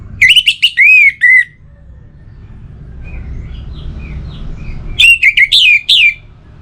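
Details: Orange-headed thrush song, played to get reluctant birds singing: two phrases of clear whistles that slide up and down, about four seconds apart, over a soft low hum.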